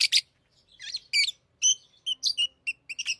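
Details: Pet lovebirds, tame birds, chattering in short high chirps and squeaky notes, some harsh bursts, spaced irregularly over a few seconds; quiet room.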